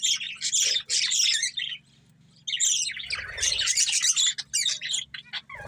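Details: Budgerigar breeding pair chirping: loud dense high warbling chatter, a silent pause of under a second, then renewed squawky twittering and sharp short chirps, with a faint low hum.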